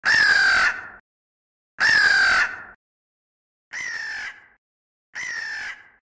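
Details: Crow giving four long, harsh caws, each nearly a second, spaced about one and a half seconds apart; the first two loud and close, the last two softer and slightly higher, in clean silence.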